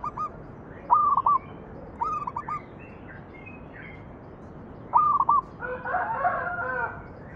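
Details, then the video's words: A local zebra dove, or perkutut, performing manggung song used to lure other doves into singing: several short phrases of mellow stuttering coos at irregular intervals, followed near the end by a denser, blurred burst of overlapping cooing. "PANCINGAN BURUNG PERKUTUT MANGGUNG"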